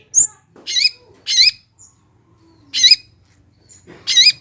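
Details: Long-tailed shrike (cendet) lure song to get lazy birds singing: widely spaced harsh, quavering notes with rising harmonic tones, separated by short silences.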